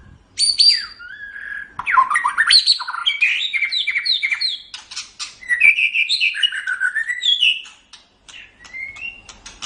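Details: White-rumped shama in full song as a master recording for training songbirds: high, busy, fast-changing chirps and whistles with sharp ticks, flowing into lower warbled phrases.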